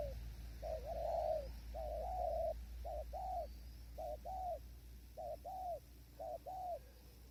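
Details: Spotted dove calling during decoy trapping at a blind on a windy day, wild birds far off; mellow two-part coos with a drawn-out second note, repeated roughly once a second in an uneven series, with low wind rumble beneath.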